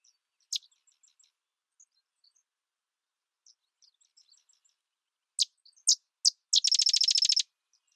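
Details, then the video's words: Sedge wren giving sparse faint chips over several seconds, then three loud sharp notes followed by a fast, dense rattling chatter lasting nearly a second. No other sounds. "Sedge Wren Bird Sound"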